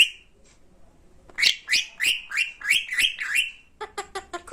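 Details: Pet talking parrot indoors gives a quick series of about seven sharp, high chirps rising and falling, followed by a faster burst of short clicks.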